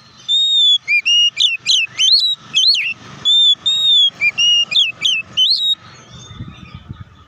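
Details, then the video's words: Oriental magpie-robin singing to provoke rival magpie-robins; fast series of ringing whistles with steep upward and downward flicks, some notes held level, ending in a quiet stretch with low rumble. "KACER GACOR NGEPLONG TARUNG KONSLET BUKA PARU❗PALING AMPUH BUAT PANCINGAN KACER AGAR CEPAT EMOSI!"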